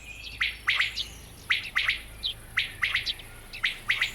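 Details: Courting male common quail in Germany calling to attract a hen, heedless of a nearby lynx: short sharp triple-note bursts repeated about once a second, with a low steady hum underneath.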